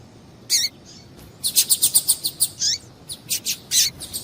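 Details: Female Double-collared Seedeater calling to stimulate a male, a quick series of about a dozen sharp high chirps repeated rapidly, mixed with a few downslurred notes.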